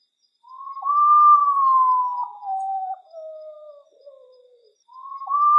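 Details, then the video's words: Common potoo, Nyctibius griseus, vocalizing in nature: a long mournful whistle held steady, then dropping in steps through lower drawn-out notes that fade away. A fresh rising whistle begins at the end. "O Misterioso Canto Do Urutau"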